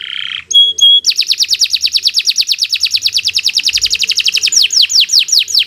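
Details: Domestic canary (kenari) song meant as a master recording for training young birds; a short buzzy note, then a long fast run of high rising-falling trills that shifts to slower descending whistled sweeps.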